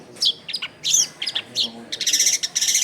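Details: Long-tailed shrike song as a lure for wild shrikes, short scratchy whistled notes followed by a quick buzzy rattling series at the end.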